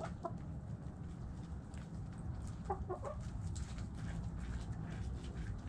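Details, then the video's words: Domestic chickens clucking: short harmonic clucks near the start and a quick cluster of clucks around three seconds, over strong low rumbling background noise and scattered clicks and scratching. "Chickens Doing Chicken Stuff Sounds Noises Hens Clucking Roosters Crowing!"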